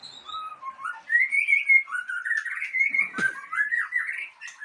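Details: Aceh white-rumped shama kept as breeding stock, singing a flowing whistled phrase that wavers and climbs, with a sharp click partway through and a rising warble at the end.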